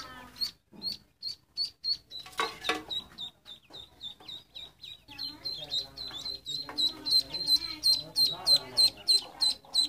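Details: Ducklings giving runs of high, sharp peeps, steady and quick, briefly broken by a noisy burst midway, then resuming in a dense, rapid series.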